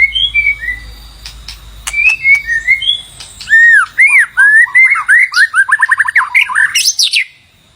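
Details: White-rumped shama song for calling in a mate: soft downslurred whistles, then a loud series of arching whistled notes speeding into a rapid trill before ending.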